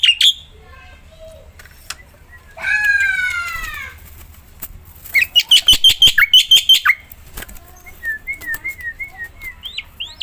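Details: Black-winged myna in full song, meant to spur other mynas to sing: a loud buzzy rasp, a quick series of repeated chattering notes, then wavering whistled phrases rising at the end.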